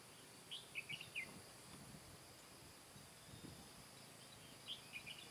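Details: Caged decoy red-whiskered bulbul singing during a trapping session on 15 July 2017 to draw in wild birds. Brief bright warbled phrase of several quick notes, with another phrase four seconds later, against constant insect buzz.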